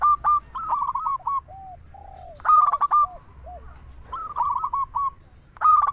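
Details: Local zebra dove calling actively: punchy staccato coo phrases with rippling ends, separated by several short, soft, low hoots.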